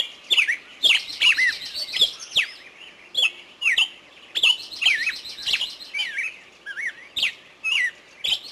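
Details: Songbirds in a forest: crisp ticks, bright looping whistles and buzzy trills, delivered in uneven bursts.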